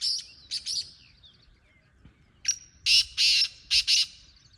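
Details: Grating, buzzy calls of a Black francolin: a first phrase of three harsh notes, a pause, then a longer phrase of a thin lead note and four rasping bursts, over faint low background rumble.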